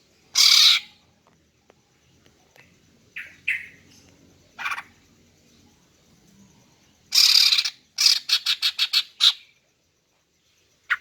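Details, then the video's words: Female greater green leafbird calls used to lure males: scattered harsh squawks and shorter rasping notes, then a loud squawk and a rapid stuttering run of about six short notes, over a faint low hum. "Memikat dan Memancing Burung Cucak Ijo Jantan dengan Suara Betina Ini agar Gacor Mantap"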